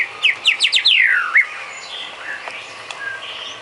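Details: White-rumped shama training song for cage birds: a quick burst of five descending whistled notes, then a longer falling whistle. Faint scattered chirps follow over a steady background hiss.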